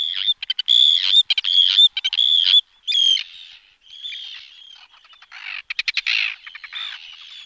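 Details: Arctic Tern (Sterna paradisaea) calls: harsh, high, grating cries in a quick series, then softer chattering and a rasping rattle.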